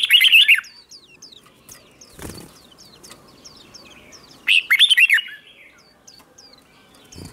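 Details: Morning contest-training song of a red-whiskered bulbul: two loud warbled bursts of quick slurred notes about four seconds apart, with a thin, high, repeated chirping and a soft thump between them.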